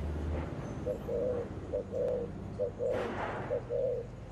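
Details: Spotted dove giving the bầu style of coo, recorded on the afternoon of 28 November: soft, low coos repeated roughly every second in steady pairs, half buried under constant broadband rumble and hiss.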